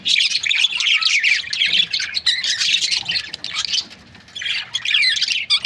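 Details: A group of budgerigars kept in breeding pairs warbles and squawks in a thick, high chatter, pausing briefly around four seconds before the chirping picks up again.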